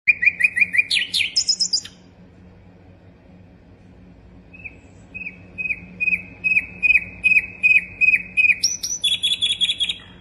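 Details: Sikatan londo flycatcher in full, varied song: a fast string of high chirps and a descending twitter, a pause of about two seconds, then a steady run of sharp, slightly rising notes about three per second, ending in higher trills.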